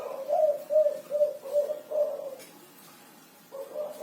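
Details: Spotted dove (derkuku) singing vigorously, 'kuku 6' style: five or six quick, even, low coos, a pause of about a second, then the cooing resumes.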